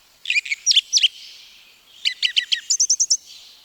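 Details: Forest-dwelling Song Thrush in Wielkopolski National Park, Poland, 1990: several shrill whistled notes, then after a pause a phrase of rapid sharp notes repeated about four times and a fast high twittering run of five notes.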